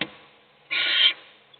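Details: A single loud, rasping hiss lasting under half a second comes from an owl feeding a chick inside a nest box while the other young sleep.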